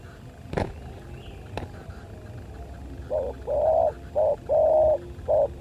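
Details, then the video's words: Spotted dove in a fighting bout: after two sharp knocks, a run of mellow coos begins, alternating short and drawn-out notes, about six in three seconds, steady in pitch. "Pertarungan Tekukur"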